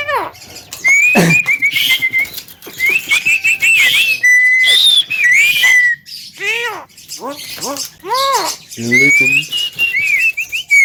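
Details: Javan myna mixing long, wavering high whistles with harsh, arched nasal notes and sharp clicks, delivered in loud bursts separated by brief pauses.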